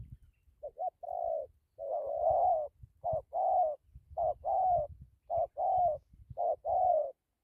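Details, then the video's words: Spotted dove with a fine voice cooing in the dặm kèm gù style: about six phrases, each a short hooted note then a longer, fuller wavering coo, with faint low thumps beneath. "Thổ tốt tiếng gù tốt dặm kèm gù"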